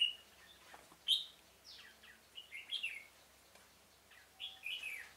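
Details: Decoy red-whiskered bulbul at a trap in a pomelo garden, 25 October 2017, singing to draw in wild birds. Several short, sharp, slurred whistled phrases, some rising and some falling, come at irregular intervals.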